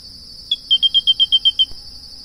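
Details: Song of the grey-breasted crake: a fast, evenly spaced string of about nine short, high, metallic notes lasting just over a second, set against a continuous shrill insect background.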